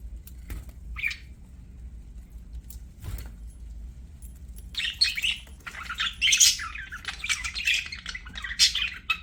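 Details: Several budgerigars sing as they play. After a few isolated chirps, a continuous high, buzzy, chattering warble builds and runs steadily through the last half, over a faint low rumble.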